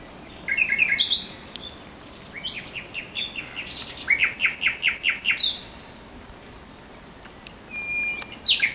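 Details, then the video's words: At night on 17 May 2023, a thrush nightingale delivers several phrases of quick, repeated piping notes that rise in loudness, followed by silence and a short thin whistle before another phrase. "Śpiew słowika rdzawego nocą"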